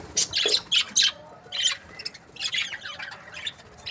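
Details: Budgerigars kept as breeding pairs give harsh, buzzy squawks and chirps in uneven bursts, several loud calls in the first second, then softer scattered chatter.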